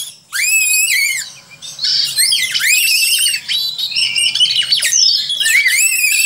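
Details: Oriental magpie-robin (Copsychus saularis) in full song: a loud, continuous run of rich whistles, rising and falling sweeps and buzzy flourishes, with barely a pause between phrases.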